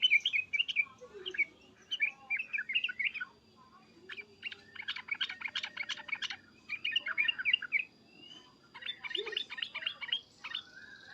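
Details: Agitated yellow-vented bulbul calling: loud 'cukcuk' and 'uplik' notes in bursts of rapid chirps with short gaps, several phrases overlapping, over a faint low hum.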